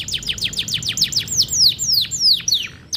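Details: Canary song made of quick, evenly spaced downward-sweeping chirps that slow slightly and lengthen into longer slurred notes toward the end.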